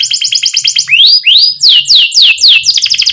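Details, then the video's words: Canary in full song, rolling with pauses, as a lure for young birds learning to sing: a short buzzy trill, then loud ringing whistles that rise and then sweep sharply downward, repeated several times, followed by more trilling. "Criit CUIT Cuit Kenari GACOR Ngerol Jeda Buat PANCINGAN Kenari PAUD Supaya Cepat BUNYI GACOR"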